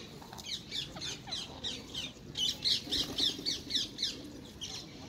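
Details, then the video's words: Wild rose-ringed parakeets at a feeding spot in Hyde Park, London, competing for apples, give harsh, screechy squawks in quick bursts, about four a second, several birds overlapping against a low outdoor rumble. "Wild ringneck parakeets steal my apples"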